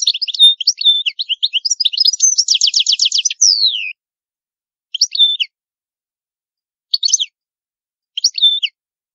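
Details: European goldfinch singing the old-style Palermo Sicilian song, recorded clean with no background noise: bright twittering high phrases, a fast buzzy rattling trill near the third second, a falling slurred note, then short separated chirp groups.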